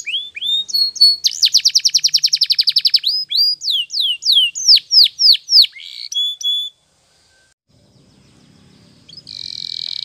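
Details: Spanish Timbrado canary singing a morning training song: a rising whistled note, a fast even trill of about twenty pulses, then swooping descending whistles and short chips, ending in a brief buzzy burst after a pause.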